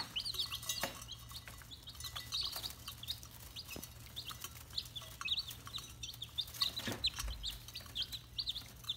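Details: Several red junglefowl chicks peeping continuously, high and thin, in short overlapping notes, with occasional sharp clicks and knocks and a low background hum.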